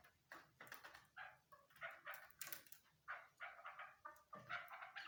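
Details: A female chukar partridge gives a steady series of short, rasping, clucking notes. Each note comes in quick, uneven succession, with brief gaps between bursts, in a quiet enclosed space.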